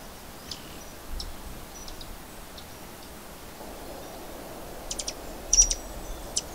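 White-eared Hummingbird giving sharp, high metallic chips, single or in quick pairs at irregular intervals, over a steady hiss of outdoor background noise.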